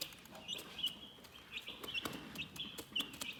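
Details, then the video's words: Chickens chirping calmly: short high peeps every fraction of a second, fairly quiet, punctuated by a few crisp clicks and soft scuffling. "Chicken Relaxing Soothing Chirping Sounds"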